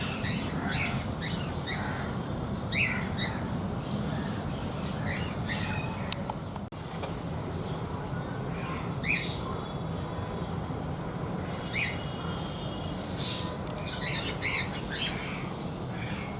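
A cockatiel gives harsh, screechy squawks in uneven bursts over a steady low rumble.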